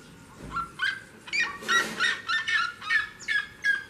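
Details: Near the house door a seriema calls in a rhythmic string of loud barking yelps, roughly three each second, rising in strength toward the middle, with a steady low hum behind.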